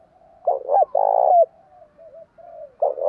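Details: Male and female spotted dove calls meant to set captive doves calling: one strong phrase of a short coo then a long, burry coo, followed by quieter trailing coos and the start of another phrase.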